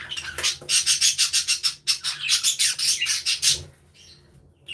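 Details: Budgerigars in an aviary, chirping and playing together: rapid, high, scratchy warbling chatter pulsing several times a second for three seconds, then fading to near quiet before a faint chirp returns.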